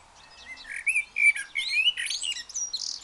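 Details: Blackbird singing freely, a short continuous run of fluty whistles, slurred rising notes and higher scratchy twitters packed closely together with no pause.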